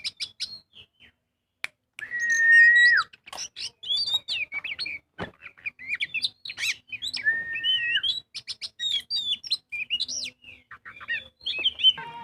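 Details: Magpie-robin (kacer) singing in full voice as a lure for other birds: a long run of chirps, buzzy notes and twittered mimic-like phrases, with two steady drawn-out whistles standing out.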